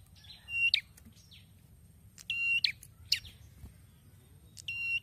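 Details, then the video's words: Prenjak kepala merah, a prinia, back in strong song after moulting: level high whistles in a clipped series, each tone ending in a quick chirpy flourish, repeated roughly every second or two against faint low background rumble. "PRENJAK KEPALA MERAH SUDAH MULAI GACOR LAGI SETELAH MABUNG"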